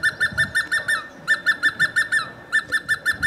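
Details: Hemprich's hornbill, filmed at Wollo University and near a home in Dessie, Ethiopia, calling and singing, gives three quick bursts of six or seven piping, slightly nasal notes, each under a second, over a quiet background.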